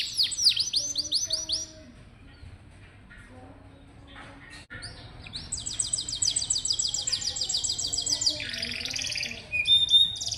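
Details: Canary singing, played to coax young or lazy canaries into song: a brief burst of falling whistles, a quiet gap with faint low sounds, then a long rapid buzzy trill and a final dense rattle.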